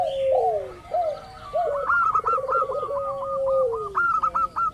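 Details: Zebra dove of a local type, used to lure other birds into song: low descending coos and a warbled trill lead into a brisk series of short, bright, repeated cooing notes.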